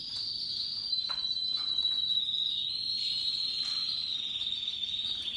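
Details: Russian yellow and Timbrado canaries singing happily among other birds: a continuous high, fast-rolling trill held at one steady pitch, sliding slightly lower near the end, with brief sharp chips cutting through.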